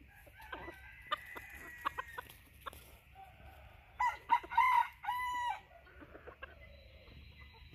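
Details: A bantam junglefowl rooster doing a courting dance gives a burst of quick clucks, then a short run of harsh, nasal calls and a drawn-out crow-like note, over low background rumble.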